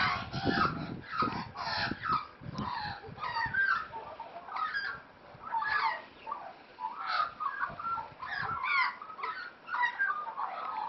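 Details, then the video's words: Australian magpies at play, wild-raised birds; loud, raucous squawks and ringing warbles in repeated bursts, mixed with low scuffling thuds early on. "Australian Magpies Playing"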